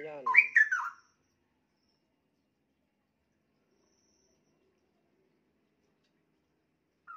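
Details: Caged straw-headed bulbul, very young at about one year, with fairly varied song: a short gurgling burst of whistled notes at the start, then long silence and one soft note at the end.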